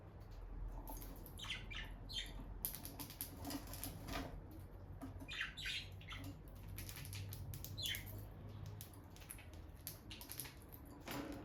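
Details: A bonded pair of peach-faced lovebirds, the female visiting the nest box, give harsh, buzzy chirps in scattered bursts, some in quick runs of two or three, over a steady low hum.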